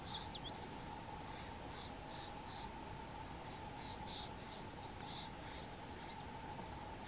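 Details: Red-winged Blackbirds defending their nest from a nearby White-tailed Deer on 29 June 2019 give short, harsh check notes, repeated irregularly about once a second, over a steady hum and background noise.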